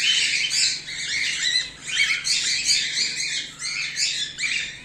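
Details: Home-bred cockatiels, whiteface emerald and exhibition grey male, chatter continuously in busy, rasping chirps that swell and fade every half second or so, with a faint low hum beneath.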